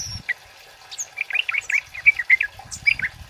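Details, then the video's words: Male kemade (orange-headed thrush), a prolific singer in the loud 'cit keres' style, recorded as a lure and tutor song: bright chirpy notes in quick varied runs, some rising and falling, with a few high squeaks and faint rustles. "Suara Burung Kemade Cit Keres Gacor Jantan Buat Pikat Dan Masteran"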